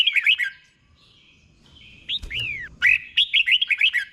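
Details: Caged red-whiskered bulbul singing the slow, clear 'boen' style for young birds to copy; a short bubbly phrase, a quiet pause with a soft whistle, then two swooping falling notes and a lively run of repeated chirps.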